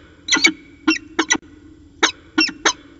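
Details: In a pair's afternoon exchange at Orange, 13 January 2019, peregrine falcons utter grating, doubled and tripled notes in uneven clusters, some closely paired, with brief gaps between groups.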